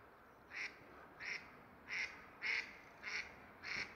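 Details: Rose-ringed parakeet (Psittacula krameri) near its nest in February, where the pair mates regularly and the male feeds the female, gives six short, harsh, grating squawks about every half second over a faint hiss.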